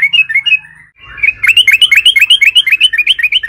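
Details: Lure recording of yellow-vented bulbul song meant to set other bulbuls singing; a brief warbled phrase, a dip, then a long rapid string of bright, bubbling, slurred notes about four per second, loud and continuous.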